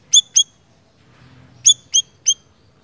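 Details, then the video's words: Siri-siri bird in active voice: two pairs of sharp, high, tinny chirps separated by a pause, followed by a third chirp, over faint low background hum. "Suara Burung Siri Siri Gacor"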